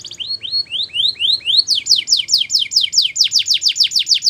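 A Belgian canary sings rapid repeated tours: first upslurred whistles about four a second, then a faster run of bright, sweeping notes over a faint low hum.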